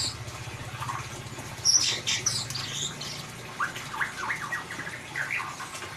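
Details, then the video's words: Ngeriwik-style singing of a white-rumped shama, played as a lure for a mute bird: a few high thin notes, then a run of rapid rising and falling chattered phrases, with a faint low drone early on. "Suara Murai Batu Ngeriwik Untuk Pancingan"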